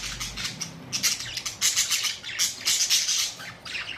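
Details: Budgerigars, colourful parrots recorded April 19, 2023, in loud continuous chatter: harsh high squawks and chirps pulsing in rapid bursts, with a low rumble at the start.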